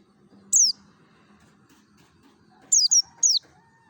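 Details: Mountain white-eye from Merapi in wild-style lure song: a single shrill descending chirp, then after a pause a rapid run of three, above a low droning background.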